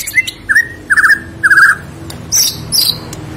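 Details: ['Borneo white-rumped shama singing over a steady low hum. It gives a few short trilled whistles repeated about every half second, then two brief, very high thin notes.']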